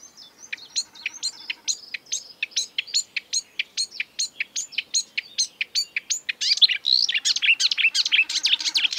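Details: Marsh warbler pouring out a long, rapid series of high chirps at a steady pace, ending in a dense, harsh, buzzy flurry. The species mimics birds from Europe and Africa.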